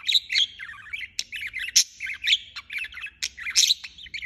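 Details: Budgerigar chirping non-stop: a busy, warbling stream of short high chirps and squeaky notes, with sharper clicks and brief whistled peaks scattered throughout, in quick irregular bursts with hardly a pause.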